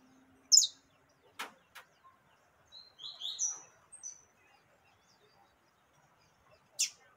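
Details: Female yellow-bellied seedeater calling to stimulate a male: scattered short chirps, a sharp high note, then a quick cluster of thin downslurred whistles and a final high chip, with long quiet gaps between.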